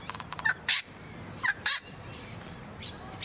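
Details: Masked lapwing (spur-winged plover) filmed in January 2022 on Queensland's Sunshine Coast: loud, grating staccato calls, a quick cluster of notes first, then separated harsh bursts in pairs, with a faint call near the end.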